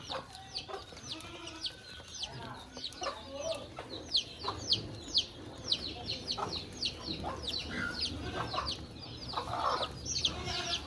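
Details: Budgerigars in a cage alongside a rabbit chirp steadily, with sharp downward-slurred notes about twice a second over a soft warbling background and a couple of brief louder calls.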